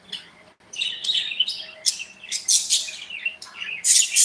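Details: Lively budgies in an indoor aviary pour out rapid, scratchy high-pitched chirps and squeaks, swelling into loud grating bursts near the end.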